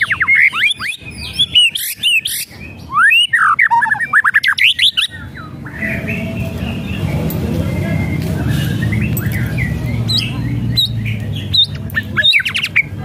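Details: White-rumped shama whistles and rattles played to rouse a lazy bird: about five seconds of rich, fast varied whistling with sharp upswept notes, then softer background noise with a few scattered notes near the end.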